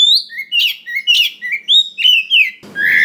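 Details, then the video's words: White-rumped shama, a forest-sourced bird, singing a varied song used to prompt other shamas to sing: rich whistled phrases mixing rising and falling notes with sharp high chips, about two phrases a second, ending in a brief noisy burst. "SUARA BURUNG KACER ISIAN BANYAK !! PANCINGAN UNTUK BURUNG KACER BAHAN HUTAN || VOICE OF KACER"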